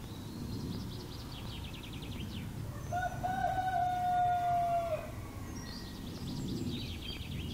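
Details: Rooster crowing in the early morning at Zgornja Kungota, Slovenia, beside a dark forest: one long, drawn-out, harmonic-rich crow held about two seconds, while small songbirds chirp and twitter before and after over a low rural rumble.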